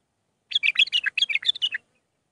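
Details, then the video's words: Training song of a bulbul, Mandalawi style with six phrases, meant for teaching young birds: one dense, fast warbled phrase of about ten bright, slurred notes lasting just over a second. "للتخريج االمخاليف. مندلاوي ب6 لسانات"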